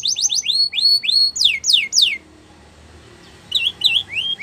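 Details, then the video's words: Canary singing a training song with hooked whistled notes and several steep downslurs, a short silence, then a couple of soft twisted notes. "Canary Bird Sounds | Canary Training"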